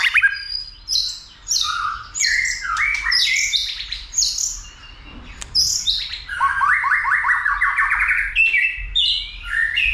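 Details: White-rumped shama stimulated into song and fighting display, tail flicking: long varied sequence of bright whistles and buzzy trills, ending in a rapid rattling run of repeated notes.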